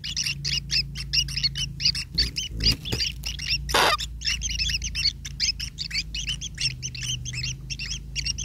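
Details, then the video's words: Long-tailed shrike young calling for food from their parent, harsh squawking bursts repeated about once a second in a ragged chorus, broken by clattering knocks and a loud rush of noise near the middle, low hum beneath. "ANAK BURUNG TENGKEK PASRAH BESAR KECILNYA MAKANAN TERGANTUNG HASIL INDUKNYA"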